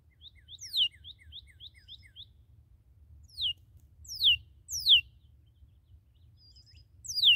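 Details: Newly captured red cardinal giving a soft series of short thin notes, then scattered loud downward-slurred whistles spaced a second or more apart, with a faint low hum throughout.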